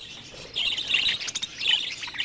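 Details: Budgerigars in a colony aviary chatter in bright, scratchy chirps, several birds calling over one another in quick bursts, after a female killed another female's chicks in the colony.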